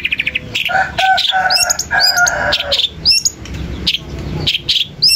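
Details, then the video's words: Long-tailed shrike singing to provoke rival shrikes: brief chattering notes, then a harsh drawn-out phrase with stacked tones, followed by high hooked whistles spaced about half a second apart. "Berikan suara cendet ini di jamin cendet lain akan emosi dan ikut nyaut"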